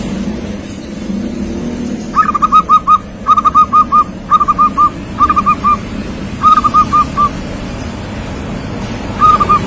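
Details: Young local zebra dove, singing actively and described as steady enough to serve as a tutor for other birds: repeated phrases of three to four short hollow coos, one roughly every second, over a constant low rumble.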